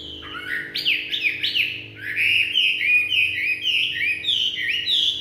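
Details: Evening song of a Chinese hwamei, delivered as a continuous stream of bright, swooping whistles that rise and fall rapidly in quick succession, loud and full, with a faint constant hum underneath.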